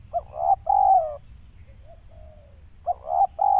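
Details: Local Indonesian spotted dove, recorded while trapping. Two coo phrases of a short note and two mellow coos open and close the recording, with faint distant coos in the gap and a persistent high whine.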